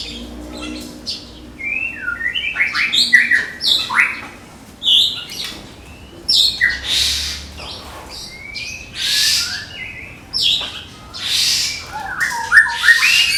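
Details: Medan white-rumped shama, a caged contest bird, in rapid 'tembakan' song: short whistled slurs and piercing bursts in broken sequences, with loud broadband crackling noises between phrases.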